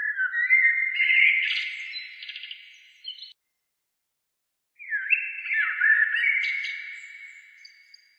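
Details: Birdsong for relaxing: two long, rapid phrases of warbling, twittering notes with buzzy trills and rising sweeps, separated by a brief silence, with nothing else heard.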